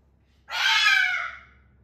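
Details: A pet cockatoo asked to sing a little song gives a single loud, grating screech of about three quarters of a second that tails off quickly, heard indoors against a faint low rumble.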